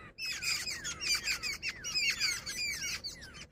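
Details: Jungle babbler, said to be female, in steady harsh chattering, squeaky overlapping notes rising and falling, ending in a short silence.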